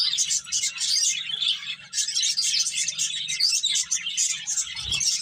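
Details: Busy finch chatter while the birds eat and play, with rapid high chirps layered thickly throughout, a low steady hum underneath and a short dull thump near the end.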